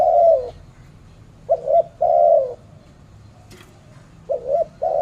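A spotted dove gives soft, low hollow coos in short phrases, a double note followed by a longer drawn coo, repeated every couple of seconds.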